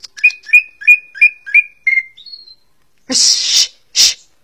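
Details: Greater green leafbird, known locally as cucak ijo and prized for its varied song, gives a run of seven clear whistled notes with a slurred lead-in, then a higher thin note, followed by two harsh rasping bursts.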